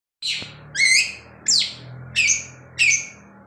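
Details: Long-tailed shrike, still singing energetically at night and constantly flicking its tail: five harsh, descending, scratchy notes spaced about two-thirds of a second apart over a quiet low hum.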